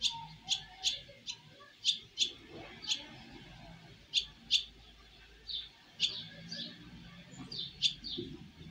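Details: Baby swallows on first flight from the nest, giving separate sharp, high chirps at an irregular pace, some doubled, over a low background hum.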